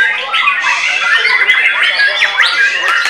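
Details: White-rumped shama bursting into song right after its cage cover is lifted, giving a rapid stream of bright whistled notes, sweeping slurs and short trills that overlap and run on without a break.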